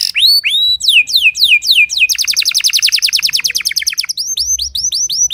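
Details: Timbrado canary singing in early morning training: loud, clear phrases of repeated downward-sweeping whistles, then a fast rolling trill of rapid notes, ending with bright rising-falling slurred notes; faint low hum beneath.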